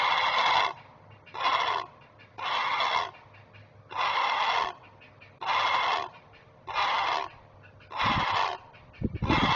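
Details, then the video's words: Nest-cam recording from 19 May 2023 of a great blue heron parent alerting over its young: a rhythmic run of eight grating, noisy squawks, each under a second, spaced roughly every 1.3 seconds, with a soft low hum and a thump near the end. "Great Blue Heron Alerting While Protecting Kids"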